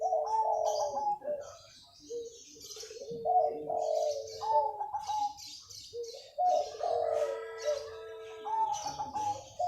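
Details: Morning song of a local wild zebra dove, lively and persistent: repeated rolling, trilled coo phrases each ending in a sustained low tone, roughly every three seconds, with scattered higher bird chirps behind.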